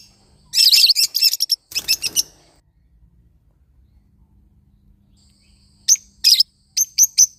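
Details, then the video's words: Lovebird parrot chattering in a loud, rapid run of harsh chirps, then quiet, then a second volley of sharp high notes. "love bird singing sound"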